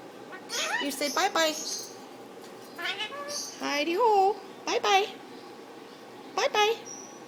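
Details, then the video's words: Pet Indian ringneck parakeet talking to its owner and the bird in the next cage: shrill, meow-like, bending syllables in separated clusters, some loud and rising, others dropping, with quiet pauses between. "My Indian Ringneck (Bobby) talking!"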